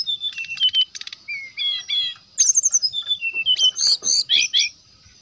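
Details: Loud lure song of a brown-chested jungle flycatcher, meant to make rival birds sing: a quick run of high chirps and whistled slurs, a rapid stuttering trill of repeated notes, then a burst of sharp, bright phrases.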